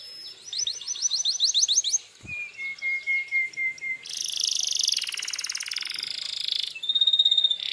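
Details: Canary in full song, used as a lure to provoke other canaries into answering: high rapid trills of rising notes, then a steady whistled tour, a dense buzzy rattle and a bright high trill at the end.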